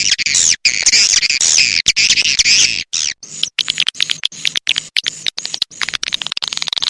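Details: Loud, shrill, buzzy twitters from swiftlets in the rainy season, run together for several seconds. They then break into short chirps and fast clicking repeated several times a second.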